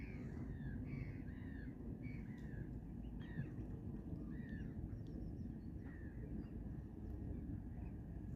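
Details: Black swan giving short, clear, downward-sliding bugling notes, often in quick pairs, against a steady low rumble of wind or water; a family with 5 chicks feeding on weeping willow leaves, chasing away mallards, late March, Vinkeveen lakes, Netherlands.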